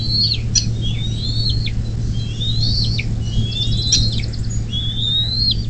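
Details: Bald eagle at a nest in southwest Ohio near South Lebanon, by the Little Miami River, USA, 24 May 2024 at 10:12. Rising drawn-out whistles end in abrupt drops, about one each second, over a low steady hum.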